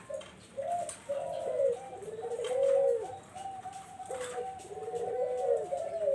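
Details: Barbary dove coos played as a lure to attract zebra doves: a run of low, rounded cooing notes, some swelling and falling, several long, purring phrases repeated without a break over faint room hiss.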